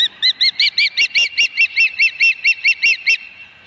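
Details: Osprey calling at its nest at Dunrovin Ranch on 26 August 2020: a steady run of about eighteen clear, whistled chirps, repeated roughly every fifth of a second, each note arched and bright.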